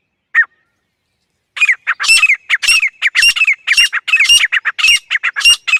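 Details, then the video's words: Female grey francolin calling: a rapid, harsh run of squawky, ringing notes, about two per second, after one opening note and a pause. No other sounds. "Female Grey Francolin Sound"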